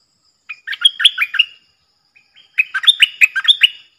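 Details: A captive decoy Stripe-throated Bulbul, recorded for playback to lure wild birds and to teach young birds to sing, gives two bursts of quick, bubbling, liquid notes, each about a second long, with a short pause between.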